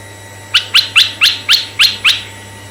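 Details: Red-eyed bulbul singing, used as a lure for male and female bulbuls: seven crisp, sharply falling notes evenly spaced about a quarter second apart.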